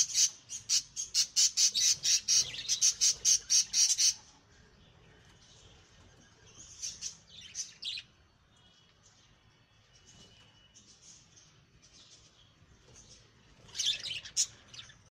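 Budgerigars squawk in a fast, harsh burst of repeated high calls during a squabble.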